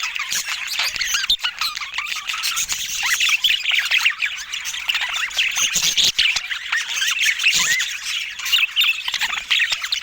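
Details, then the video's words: Pet budgies kept for calm bird watching, with no talk or music: a dense, continuous flock chatter of squawks, squeaks and fast warbled chirps, many overlapping voices with no pause across the stretch. "Calming Budgies for Stress Relief"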